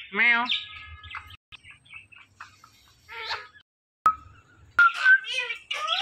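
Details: Indian ringneck parrot producing a descending nasal phrase, then scattered soft chatter and clicks. Sharp whistled and speech-like notes burst out toward the end.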